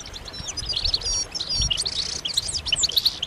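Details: Lively overlapping twitters from a group of European goldfinches, calls said to signal mating readiness and spur males to sing; sharp high chips and tinkling phrases tumble together, with faint low thumps.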